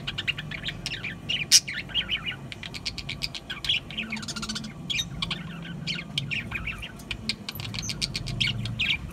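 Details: Several budgerigars chatter almost nonstop, with rapid ticking clicks and squeaky chirps. There are louder squawks early on and a low background hum.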